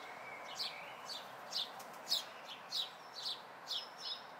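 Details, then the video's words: House sparrow fledglings, May 2020: evenly spaced chirps about twice a second, rising in loudness then easing, with thin whistled notes from another bird at the start and near the end. "House Sparrow Fledglings - 2020"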